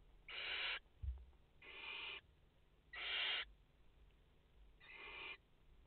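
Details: At a French barn owl nest holding a mother and four chicks, 30 August 2021: four breathy, rasping hisses, each about half a second long, spaced roughly every one and a half seconds, with a soft thump between them.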